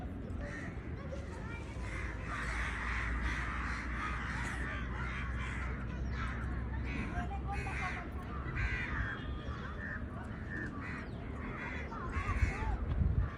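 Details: Birds chirping and calling in quick, irregular succession, with harsh mid-pitched notes over a constant low rumble of background noise.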